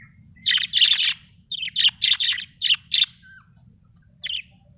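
Budgerigar chirping in quick bursts of bright, scratchy warbled notes around the upper-middle range, several per second, with a brief pause before a final chirp.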